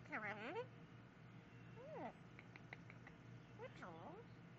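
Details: Yellow-naped amazon talking: three bursts of harmonic, warbling, speech-like phrases with swooping rises and falls, separated by soft clicks, over a steady low hum.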